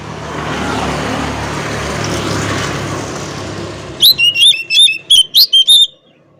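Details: Oriental magpie-robin singing to challenge rivals: after about four seconds of broad rushing noise, a burst of loud, clear, piercing whistled notes follows in rapid, uneven succession, then the song stops abruptly.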